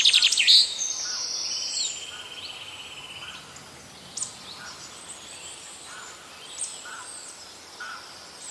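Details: Birds singing in nature: a loud burst of high chirps opens, then a level buzzy trill and scattered faint high whistles, over a steady hiss of background noise.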